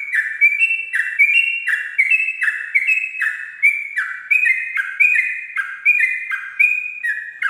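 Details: At dawn, a sooty-headed bulbul (Pycnonotus aurigaster) sings a rapid, unbroken run of bright, bubbly chirped notes, more than one a second, with no other sounds.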